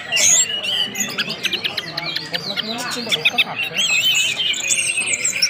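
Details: Orange-headed thrush singing whistled ngeplong-style phrases meant to spur other birds into song. Busy, layered high chirps and clear whistles, with rapid trills and slurred notes tumbling over one another.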